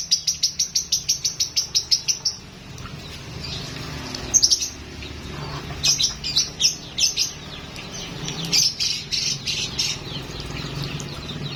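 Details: A lovebird shows a full, rich song repertoire: a fast, evenly pulsed trill of high chirps for about two seconds, then irregular bursts of shrill, squeaky notes and chattering for the rest.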